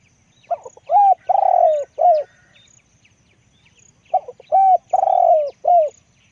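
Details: Spotted dove, a decoy bird with a deep, big voice, gives two cooing phrases. Each has soft lead-in notes, then a rising-falling coo, a long trembling drawn-out croo, and a final falling coo. Faint thin chirps of small birds sound behind.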